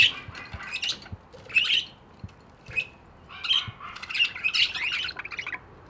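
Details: Budgie chirping in repeated scratchy chatters with bright squeaky accents, punctuated by soft low clicks, growing busier toward the end.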